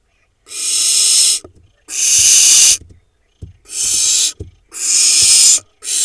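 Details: Four barn owl nestlings in a monitored Hula Valley nest, Israel, 7 July 2021, preening at close range: long, raspy hissing bursts of about a second, coming one after another almost without pause, with light bumps between.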